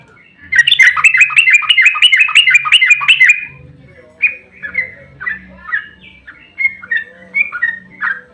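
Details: Sooty-headed bulbul in a fighting, emotional song used to provoke other birds into answering: a loud rapid run of bubbly chirps for about three seconds, then spaced, slurred whistled notes with a faint low hum beneath.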